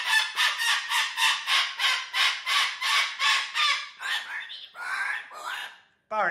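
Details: Cockatoo squawking in a steady train of coarse, pulsing calls, about three per second, then breaking into longer, uneven rasps and ending on a sharp rising squeal.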